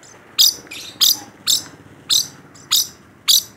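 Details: Rainbow lorikeet, a caged bird described as in full voice, repeating short harsh shrill screeches about every half second, seven in all.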